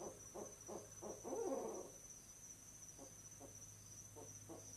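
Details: Two paired barred owls hooting together at their owl box one November evening, asserting the nest spot as theirs; quick low hoots rise into a loud tangled outburst, then fade to softer, spaced notes.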